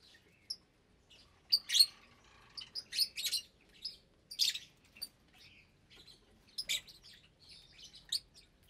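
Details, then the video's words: Flock of about 25 caged lovebirds, some with chicks, eating at meal time: busy high-pitched chirping and squeaky twitters overlapping in quick bursts, separated by short pauses. "Lovebird Meal Time"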